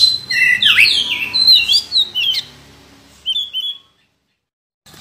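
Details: An oriental magpie-robin, described as a former champion contest bird, pours out a rich tumble of varied, slurred whistles for two seconds, then adds a brief thin whistled phrase before falling silent.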